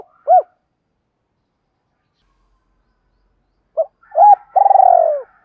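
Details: Spotted dove used as a decoy against wild doves, calling thúc rút: one lone hooked note, a pause of over three seconds, then a phrase of quick short notes ending in a long wavering coo that falls away.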